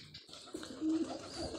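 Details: Kept pigeons being given vitamin medicine indoors; a single brief low tonal coo, steady in pitch, lasting about a fifth of a second, with soft rustling and clicks around it.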